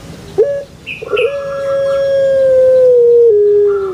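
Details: Kept Barbary dove of the puter pelung type, whose song is prized in Indonesia: two short rising notes, then one long, steady, drawn-out hooting note lasting about two seconds that sinks slightly at the end, with faint chirps from small birds.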